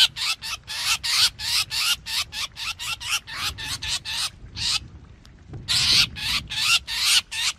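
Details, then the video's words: Black drongo calls from 2021, used for trapping: a fast chain of harsh scratchy notes, a half-second silence, then the loud rasping series starts again. "TIẾNG CHIM CHÈO BẺO"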